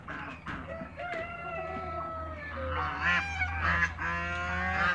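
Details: African geese call as they meet waterbirds in a backyard farmyard. Drawn-out falling honks and shorter nasal blasts overlap in a noisy, uneven chorus, with other fowl calling alongside.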